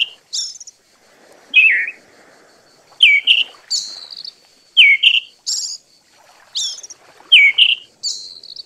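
Eyebrowed thrush giving sharp, high chirps, some sliding downward, in bursts roughly every second; a faint steady high whine runs underneath.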